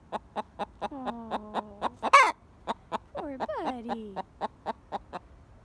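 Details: Buff Orpington pet hen, golden yellow, sounding alarm after something scary was chased off by a dog: steady run of short sharp clucks about every quarter second, broken by drawn-out descending squawks and one harsh loud shriek.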